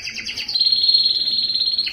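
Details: Brief burst from a yellow canary: a few quick chirps leading into a sustained, even, high trill lasting over a second.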